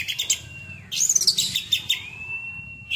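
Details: Caged Oriental magpie-robin singing in the fiery 'tembakan' style: quick chirps, then a loud burst of high twittering and a long, steady, slightly rising whistle held for about a second.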